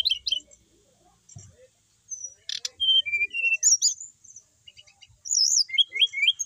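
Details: Bali brown-chested jungle flycatcher kept at home, singing readily: scattered whistles and a click, then a phrase of flat whistles and high slurs, closing with rapid rising-falling looped notes.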